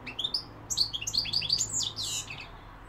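A European goldfinch sings a quick, liquid run of high tinkling twitters and buzzy notes, tumbling rapidly for about three seconds over a faint low hum.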